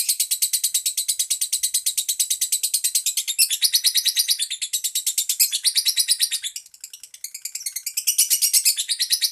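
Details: Lovebird kept as a pet, chattering in rapid, rhythmic shrill notes, a brief softer dip near the end before the loud buzzy chirping resumes; no other sounds.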